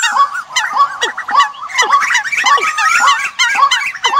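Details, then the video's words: Bird decoy sound for the migration season: a busy mass of clear, bouncing chirps and steep falling notes, several callers overlapping almost two calls per second. "tiếng Chim mồi mùa Di cư"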